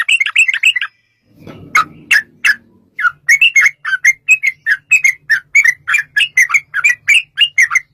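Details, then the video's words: Yellow-vented bulbul in 'gacor' long 'ropel' song for luring other bulbuls to respond. Quick warbles, a gap with low rustle and three loud sharp notes, then a long steady string of rapid, bubbly slurred notes over a faint hum. "trucukan gacor TARUNG ROPEL PANJANG pancingan trucukan agar bunyi jadikan burung trucuk gacor NYAUT"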